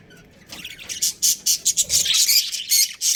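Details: A budgerigar breeding pair within a colony chatters in a run of short, scratchy, high chirps and squawks, about two per second, building from quiet to loud.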